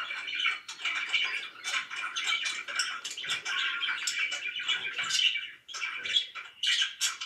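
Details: Loud pet budgerigar chirping: busy, overlapping warbled chirps and scratchy notes forming a steady chatter, with a brief dip in loudness before renewed bursts.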